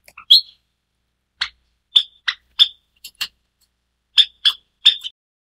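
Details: White Java sparrow, a white variant of the Java sparrow, giving short sharp chirps, single and in quick pairs or triplets, separated by brief silences over about five seconds; no other sounds.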